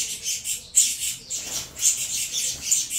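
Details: Noisy begging of captive saffron finch nestlings during feeding, a cross of Venezuelan stock: broad rasping hisses high in pitch, swelling and fading in short bursts roughly every half second.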